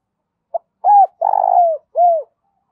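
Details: One cooing phrase from a spotted dove used as a lure for wild birds, in the giọng thổ style: a short opening note, a level coo, a long trilled coo dropping at the end, and a downward-curving closing coo.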